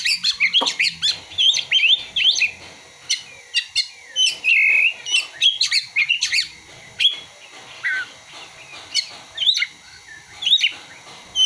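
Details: Kacer, the Oriental magpie-robin, singing with mimicked ciblek (prinia) and kolibri (sunbird) phrases: dense, rapid run of bright twittering notes, slurred whistles and clicky bursts, nearly continuous with short gaps.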